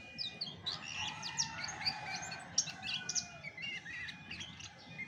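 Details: Natural song of a chestnut-backed thrush: rapid high twitters and sharp whistled slurs run together almost nonstop, with brief clear peaks, over a faint constant tone and low rumbling background.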